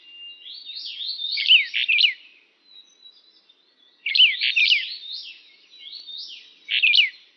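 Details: Brown bullfinch (Pyrrhula nipalensis uchidae) giving three bursts of high, slurred whistles with short looping notes. Each burst lasts about two seconds, with brief pauses between them, in an otherwise quiet setting.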